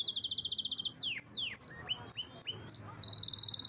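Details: A fast high canary trill gives way to sweeping down-slurred whistles, then clipped rising notes, and ends in another rapid pulsed trill.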